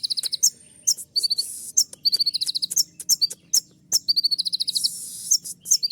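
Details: Olive-backed sunbird in full song with filler phrases. Fast, rattling trains of high chirps and sharp clicks play over a hissing background wash.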